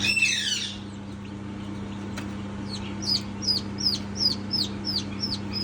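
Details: Newborn chick peeping: a loud harsh burst opens, then a string of short, high, downward-sliding peeps comes about three times a second, over a steady low electrical hum.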